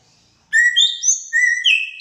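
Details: Srigunting batu (greater racket-tailed drongo), a skilled mimic songbird, giving a rapid run of pure whistles. The notes step between rising and falling tones in quick successive phrases after half a second of quiet. The recording is otherwise clean.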